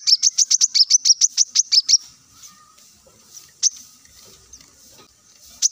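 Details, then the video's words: A plain-throated sunbird (kolibri kelapa) sings in a recording used to prompt other birds to sing. A rapid burst of about fourteen sharp, high chips is followed by a few scattered single notes. "kolibri kelapa | manggar | wiceh | masteran untuk burung ijoan agar cepat bunyi gacor"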